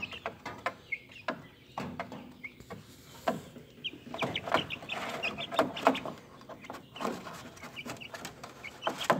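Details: Speckled Sussex chicken chicks hatched 3.22.2023, recorded April 30, 2023, giving brief high cheeps amid constant clattering, pecking and rustling noises, denser in the second half.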